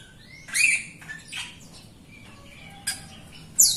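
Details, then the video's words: Actively singing Jalak Rio myna used as a training prompt for other Jalak Rio birds that rarely sing; a rising whistle runs into harsh squawks, then quieter notes and a sudden shrill final chirp. "JALAK RIO GACOR untuk pancingan RIO RIO BAHAN OMBYOKAN & MALAS BUNYI"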